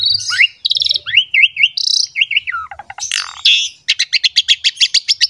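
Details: Asian pied starling singing a lively masteran song meant to prompt young or reluctant captive birds to sing: buzzy chatter, wavy whistled notes, a harsh rasp, then a fast run of repeated clicking pulses.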